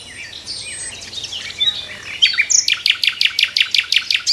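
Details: In the morning, a nightingale sings from a tree: a few varied high whistles and slurs, then a rapid, loud run of about a dozen identical chopped notes, roughly six per second.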